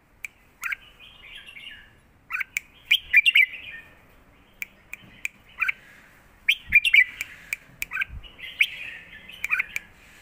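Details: Singing contest of caged red-whiskered bulbuls trading phrases in southern master-style song: repeated rich warbled phrases every second or two, mixed with sharp clicks and ticks.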